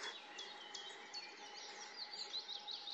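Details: A pair of long-tailed tits building a nest at the edge of the Siemianówka reservoir; rapid high, thin chirps and buzzy notes, densely overlapping, above a constant low drone.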